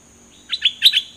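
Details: Song phrase of a dok taeng bird, from a 2020 recording used to train young birds to sing: four high chirps in two quick pairs, bright and slightly buzzy, over a quiet background.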